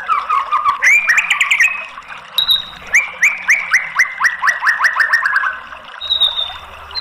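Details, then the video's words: White-rumped shama song used as a lure to make a silent bird sing: a fast rich warble, then a long run of about a dozen clipped rising notes that slowly fall in pitch. Thin high tones sound between phrases. "PANCINGAN MURAI BATU MACET BUNYI biar NYAUT jadi GACOR NGEPLONG"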